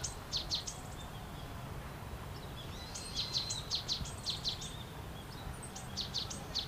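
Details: Brown-eared bulbuls feeding on cherry blossom nectar and calling loudly; short clusters of shrill upswept notes, a quiet gap, then a longer run of about eight sharp chirps and a final few, over faint low background rumble.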